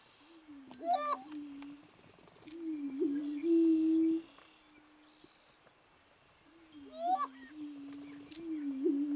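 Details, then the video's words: Several overlapping low, resonant moaning hoots from greater prairie chickens at a mating dance, each lasting about two seconds. Sharp rising cackles and a faint higher tone break in between. "Greater Prairie Chicken mating dance"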